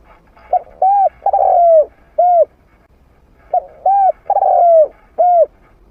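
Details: Trained spotted dove with a medium-pitched voice, used as playback to draw wild doves in to fight. Two matching phrases of mellow, hollow coos, each a short note, a longer note, then a drawn-out falling coo, and a final short note, in quiet surroundings.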